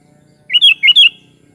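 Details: Sooty-headed bulbul (kutilang) delivers a single clear phrase of two linked pairs of warbled, rising whistles against a faint low hum.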